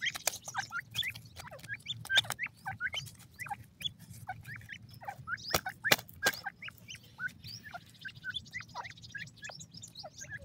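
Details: Black francolin chicks giving steady, crowded peeping, many brief curved chirps from several birds at once, mixed with scattered sharp clicks and a faint buzzy hiss later.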